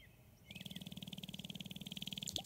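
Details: Sharp-tailed grouse dancing to attract a partner, Glennallan, Alaska, 9 May 2018: a fast, even rattle of stamping feet and buzzing tail feathers, about twenty beats a second, with a brief sharp note near the end.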